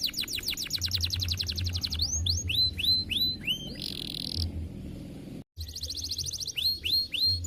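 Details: Canary singing in the 'semelet' style: a rapid high rattling trill gives way to looping upswept whistles, a harsh buzzy burst and a short silence, then more quick trills and arched notes over low background hum.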